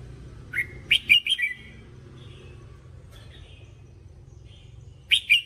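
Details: Red-whiskered bulbul training song for voice practice: a single whistled note, then a quick run of four bright, warbling notes, and after a long pause another burst of clear notes. Low background hum throughout.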